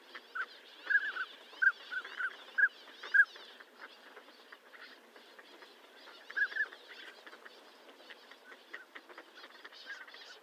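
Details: Northern pintail calling: a run of brief, mellow whistled notes repeated roughly every half second, a pause, then another short burst, with a steady chatter of many other birds behind.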